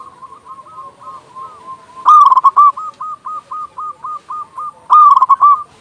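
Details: Local zebra dove, a loud-voiced frequent singer, used as a master recording to lure doves and prompt them to sing. Rapid runs of short, clipped cooing notes on an even pitch, with two louder, rolling bursts near the start and end.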